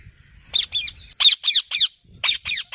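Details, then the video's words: Green parrot giving harsh, high screeching calls in pairs, with a short pause before a closer cluster of three loud squawks and another run of three near the end. "Green Parrot Natural Sounds"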